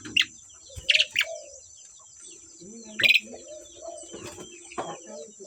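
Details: A pair of Asian pied starlings singing: scattered harsh, buzzy high bursts separated by softer low warbled notes, with short pauses between phrases.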